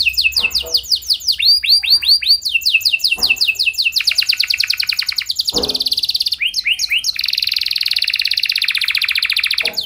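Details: Canary in long continuous song intended to start other canaries singing: varied tours of descending whistles, swooping notes and fast buzzy rolls, with a few faint clicks between phrases.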